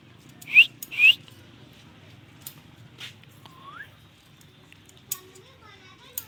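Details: Pet ringneck parrot chirping: two loud sharp upward chirps in quick succession, later a softer rising whistle and faint scattered clicks and chatter.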